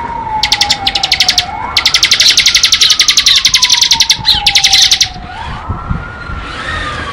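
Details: Bar-winged prinia singing ngebren: a long, fast, buzzy rattling trill of rapid repeated notes lasting several seconds, then quieter, with a sliding siren-like tone underneath.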